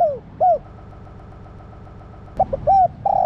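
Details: Spotted dove female stimulating the male. A falling coo and a rounded note, a pause of nearly two seconds, then a new phrase of quick notes, an arched coo and a rolling coo.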